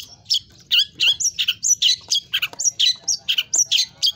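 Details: Long-tailed shrike singing vigorously in full 'isian' style, with mimicry high and low, for training. The phrase is a dense, harsh chatter of varied squeaky and scratchy notes, some high and some dropping lower, delivered rapidly.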